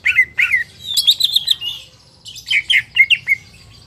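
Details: Greater green leafbird, a market bird, singing varied whistled phrases: slurred notes near mid-high pitch, a burst of higher chattering trills, a pause, then more rising and falling whistles ending in a short clear note.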